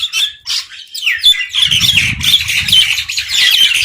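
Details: Crows fighting over food while eating, giving a dense, continuous run of harsh, overlapping squawks and caws that barely pause, with low thumping and scuffling sounds underneath during the second half.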